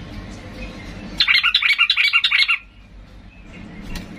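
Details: Fired-up Sooty-headed bulbul provoking other bulbuls to answer, giving a quick chattering burst of about ten bright, rapidly repeated notes lasting just over a second, then near silence.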